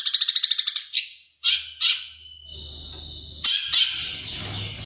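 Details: Madura long-tailed shrike song with imitated sparrow and Java sparrow notes: a quick train of rattling chips, several harsh bursts, a steady thin whistle, then sharp scratchy notes.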